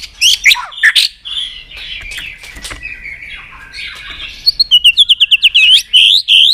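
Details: Song of a White-rumped shama meant to stimulate contest singing; a few sharp slurred notes, a soft hazy middle, then a rapid trill of clipped high notes and final whistled phrases.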